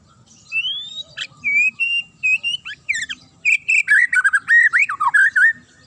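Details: Sharp challenging song from a magpie-robin: long drawn whistles, then a dense, fast jumble of slurred whistles and harsh notes, aimed at making other birds reply.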